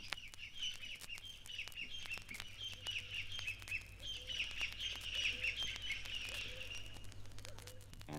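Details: In East Africa, a Crested Francolin calls from deep undergrowth with its challenge call: a harsh, scratchy chatter of rapid repeated notes lasting about seven seconds, over a low steady hum.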